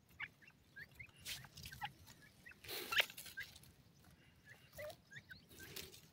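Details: Chicks of grey francolin, Pakistan, feeding and playing, give sparse thin chirps at irregular intervals, one louder upslurred peep near the middle, with rustling and scratchy broadband noises between calls.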